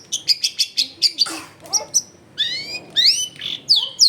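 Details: Long-tailed shrike in full song, recorded at home in a busy residential area and meant to get quiet shrikes singing; a quick run of sharp high chips, then a harsh burst and several sweeping whistles that rise and fall.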